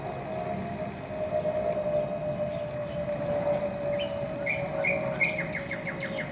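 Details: Cardinal singing in spring 2014, heard late in the recording: a few slurred whistles leading into a rapid string of short repeated notes, with a steady mechanical hum and faint background birds.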